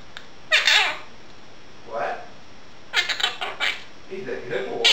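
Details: Pet female Quaker parrot chattering indoors during dishwashing: a few brief, raspy speech-like phrases with gaps of quiet between them.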